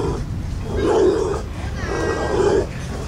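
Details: In Rio de Janeiro, Brazil, a Picazuro pigeon gives two deep, hollow cooing phrases about a second apart, low and mellow, over a soft background hiss.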